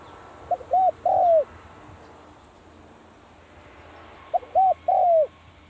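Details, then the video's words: Two low, soft three-note coos from a Spotted dove practising at the start of the cold season, each a short note, a rounded coo and a long descending note, about three and a half seconds apart. "เสียงนกเขาใหญ่ เข้าหน้าหนาวออกซ้อมเจ้าหลิ่วตัน"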